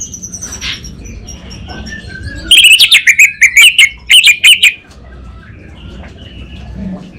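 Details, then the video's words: Vigorous orange-headed thrush song recorded in Singaraja, North Bali: after a faint start, a two-second burst of fast, scratchy, rattling notes over a high trilling whistle, then quiet background murmur. "ANIS BATA Berkicau Gacor"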